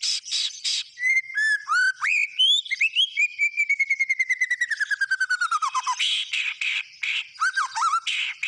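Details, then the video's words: White-rumped shama singing energetically, mixing clear whistled slurs with a long fast series of repeated chipping notes that gradually drop in pitch, followed by bursts of harsher, buzzy phrases. "SUARA BURUNG MURAI BATU GACOR"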